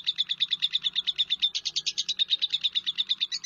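A lovebird chatters in a rapid, shrill stream of high chirps, about seven to eight notes a second, running steadily without a break.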